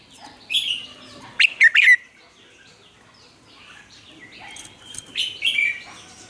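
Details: Vietnamese Red-whiskered bulbul singing as a lure bird to train caged bulbuls. A burst of three quick slurred notes, then softer scattered whistles and a warbled phrase, with a faint noisy background.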